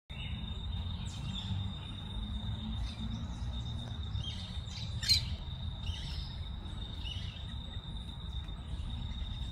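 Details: A plain parakeet fledgling that has just left the nest explores a garden under its parents' watch, giving scattered short, shrill chirps over a steady high insect-like whine and a low background rumble.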